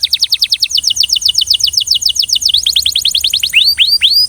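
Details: Belgian canary song: a long run of rapid, evenly spaced downward-slurred high notes, briefly shifting to a quicker tour, ending with three rising upslurred whistles.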